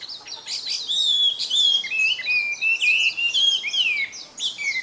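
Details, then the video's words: Melodious laughingthrush (hwamei) in full song in the wild: loud, rich, varied whistled phrases with fast slurred trills and high sweeping notes, flowing almost without pause for five seconds against a quiet background. "HWAMEI / WAMBI GACOR DI ALAM LIAR"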